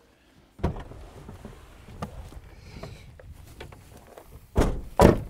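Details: Heavy thumps and door-like knocks with faint handling noise; no animal voice is heard.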